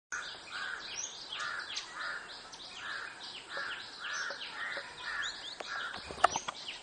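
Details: Velvet-fronted Nuthatch, up close near Ganeshgudi, giving short, rapid chipping notes about twice a second, over a busy chorus of thin, high chirps from other birds; Velvet-fronted nuthatch.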